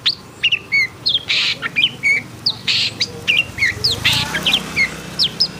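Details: Agitated long-tailed shrike singing rapid, chirpy sweeping whistles broken by several harsh, buzzy bursts, with a low rumble audible toward the end.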